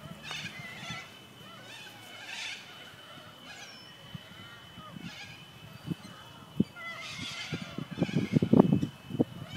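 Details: A flock of corellas, hundreds of them inhabiting the trees of a neighbourhood park, gives harsh, rasping screeches in scattered bursts over a thin steady high tone, with low thumps and rustling toward the end.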